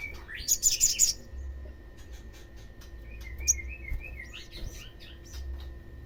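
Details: Olive-backed sunbird call played to provoke others of its kind into calling: a loud burst of high chirps, then a run of quick, even trilled notes with faint twittering and chips around it.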